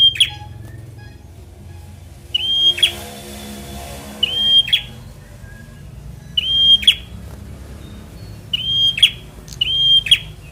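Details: Semi-young Bar-winged prinia giving fighter song, used to provoke lazy birds into voice. Six whistled phrases, each a level high tone ending in a harsh buzzy flick, irregularly spaced, with a faint hissing patch early on.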